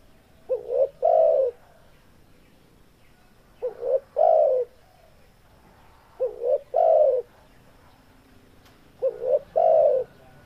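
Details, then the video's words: Spotted dove, a male in breeding condition, giving four repeated call phrases about every three seconds, each a brief double coo leading into a longer low hoot, with faint background hiss. "Suara Burung Tekukur Suara JANTAN BIRAHI GACOR"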